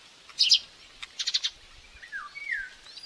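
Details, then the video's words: Nest-camera recording of an aggressive young common buzzard begging at breakfast feeding, Tiszalök, Hungary, May 5, 2024: short downward-sliding whines in quick succession near the end, after bursts of crackling bustle at the nest. "Baby buzzard aggressive during breakfast feeding"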